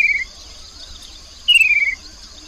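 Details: Lure recording of a Chestnut-capped babbler from the Mekong riverside, Nakhon Phanom, Thailand, 2021: a brief trill fades at the start, then a second quick chattering trill falls in pitch. A continuous high insect whine runs beneath.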